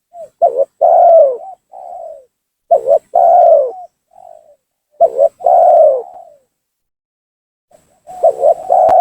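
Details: Spotted dove giving an energetic lure call meant to provoke rival doves and force them to come down; four cooing phrases, each a quick stuttered double note, a long loud falling coo, then a softer trailing coo, repeated about every 2.5 seconds.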